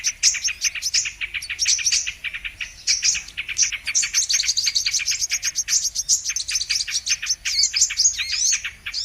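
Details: Lure recording for bird trapping of the Brown-throated sunbird, known locally as kolibri kelapa: fast, continuous stream of high, sharp chips and tinny twitters, with a brief slight lull midway before the busy chatter resumes.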